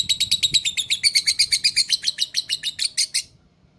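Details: Rapid series of shrill chirps from a lovebird in ngekek style, a long trill that grows louder and denser midway, then slows slightly and ends abruptly after three seconds, leaving quiet low background noise.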